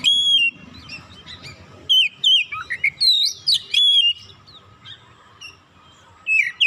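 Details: Oriental magpie-robin, provoked and emotional, pouring out its song repertoire: clusters of sharp chirps and slurred whistles in the middle, with a whistle at the start and end and quieter pauses between.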